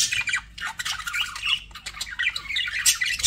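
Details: A budgerigar kept as a pet gives harsh, scratchy squawks mixed with fast twittering chirps, with short whistled notes near the end.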